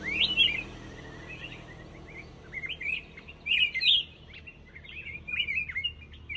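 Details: Black-crested bulbul repeating short, chirpy warbled phrases. Some are loud and some softer, with brief pauses and a quieter stretch midway. Light background hum.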